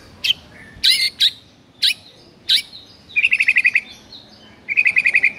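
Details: Morning recording of a white-rumped shama meant to provoke rival birds: sharp separate chips about every half second, then two quick trilled bursts of rapidly repeated high notes.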